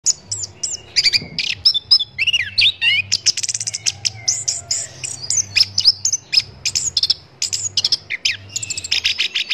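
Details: Orange-headed thrush song, played as a training recording for songbirds: a dense, fast run of high whistled notes, sharp chips and looping slurs, nearly continuous, with a faint low hum underneath.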